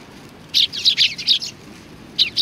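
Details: At a Tenmangu shrine in late November 2020, sparrows arriving for food give a burst of about six sharp chirps, followed after a pause by two more.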